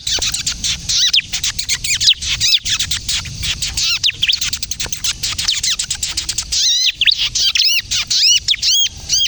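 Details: Bar-winged prinia in kejepit-style song, meant for luring and prompting untrained prinias: dense, hissy mass of high chirps for most of the stretch, giving way near the end to clear, well-separated arched notes.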